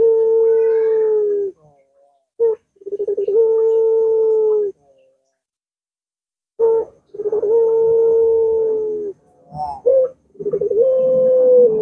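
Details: Puter dove with a long continuous coo, used to get reluctant birds calling: repeated phrases of a stuttering roll leading into a sustained low hum, separated by pauses and short abrupt notes.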